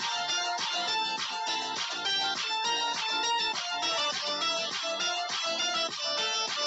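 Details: Bright, plucked keyboard-like music plays steadily throughout, with no animal sounds present.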